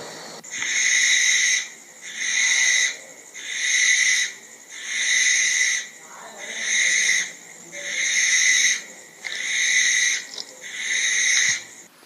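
A barn owl gives eight harsh, hissing screeches, each about a second long, repeated roughly every second and a half at an even pace.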